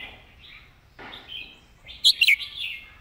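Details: Red-whiskered bulbul giving a clear master song, used for teaching other birds: one short burst of loud, bright, warbled whistled notes near the end, after faint softer chirps from other birds.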